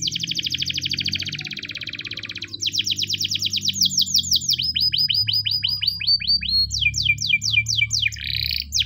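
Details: Morning training song of a Spanish Timbrado canary: a fast metallic rattle, then sequences of repeated swooping notes shifting to rising sweeps, over a steady low background hum.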